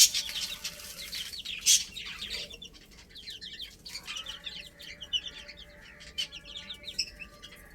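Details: Young chickens, several chicks at play, giving many short high chirps in overlapping bursts, some clustered and some spaced, with faint sharp clicks and light background hiss.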